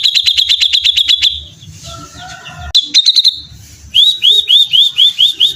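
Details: Grey-cheeked bulbul in lively 'beset ngepik' song: a rapid high trill, soft warbling, a sharp click, then a string of about seven rising, upslurred chip notes.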